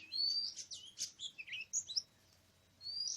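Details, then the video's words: Oriental magpie-robin singing in wild forest during bird trapping on 24 March 2017: a quick run of varied high whistles, rising slurs and short warbled notes, then a brief pause and one more rising whistle. "Oriental Magpie-Robin:Chirping In The Exciting Wild"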